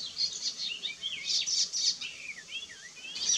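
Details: Icterine warbler, a regular breeder in south-western Mecklenburg, singing a quick jumble of high twisting whistles and sharp bright notes, its song including imitations of other birds.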